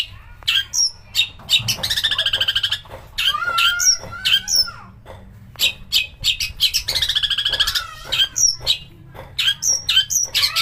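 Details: Long-tailed shrike song used as a lure to make shrikes sing, in a mastered recording with harsh bursts: long rasping buzzy trills alternating with clear slurred whistles and quick sharp chirps.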